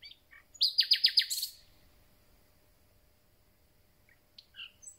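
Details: Common nightingale, freshly returned and starting its song season, gives a short loud burst of rapid stacked notes, then quiet with a few faint high chirps.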